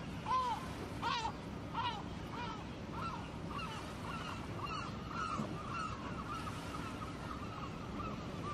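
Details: Gulls at a lake give a run of nasal, arched calls, strong at first and then a steady series of about a dozen evenly pitched cries over a constant background hiss of water and wind.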